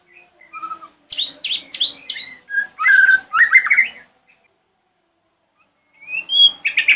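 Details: White-rumped shama in morning song aimed at provoking rivals to respond: a varied run of sharp downslurred whistles and rich warbled phrases, then silence and a rising whistle leading into another quick burst.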